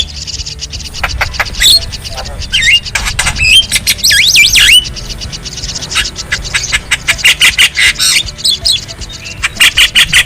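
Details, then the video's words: Wild black-winged starling singing in nature: a busy, varied stream of harsh chattering notes mixed with sharp whistles and looping downslurred and upslurred whistled phrases. Later come rapid bursts of scratchy notes, with faint low background rumble. "Masteran Burung Jalak Kebo Jabo Jalbo Asli Alam Liar"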